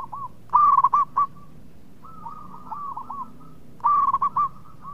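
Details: Local zebra dove in full song, kept as a caller to start other doves singing: two loud bubbling coo phrases of rapid notes, separated by a softer, longer run of rolling coos.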